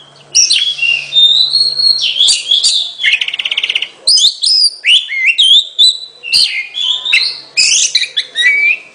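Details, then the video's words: Oriental magpie-robin song made of varied short whistled phrases, a brief buzzy rattling trill near the start, then crisp chirps and downward-slurred notes in quick succession. "เสียงนกกางเขน ร้องชัดเสียงชัด 2020 Oriental magpie robin"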